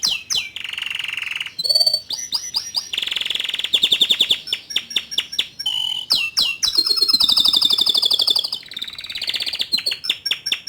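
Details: Song of a young male Atlantic canary used to prompt a juvenile bird to start singing: fast rolling trills, buzzy held tours and quick repeated high notes, changing phrase every second or two with brief gaps.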